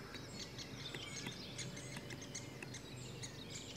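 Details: Great spotted woodpecker, adult with young: short, scratchy clicking notes run together in a busy, continuous chatter across the whole stretch, with a faint background hum.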